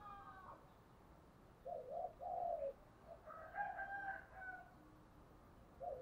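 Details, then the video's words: Spotted dove (cu gáy, thổ-voice style) cooing as a lure recording meant to draw wild doves into calling back; low, mellow, slightly rolling coo phrases in two bursts a second apart, a third starting at the end, over faint background hiss. "tiếng cu gáy thúc căng lửa, mở lên bổi nghe gáy theo cả ngày"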